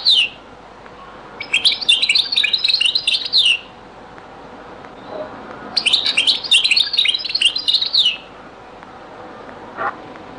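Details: Beni Messous 'les avocats' (zaboka) style song from a European goldfinch, very old recording: two dense bursts of fast, tinkling, twittered notes, each about two seconds long, separated by quiet, with a low hiss throughout.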